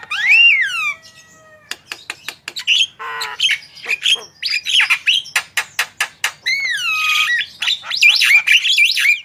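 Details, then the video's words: Javan myna in full, active song, played for training and prompting other birds to sing: sweeping whistles falling from high to mid pitch, then a rapid run of sharp clicks and ticks, and more looping whistled notes near the end. "Jalak kebo gacor full masteran//cocok untuk pancingan burung anda !!"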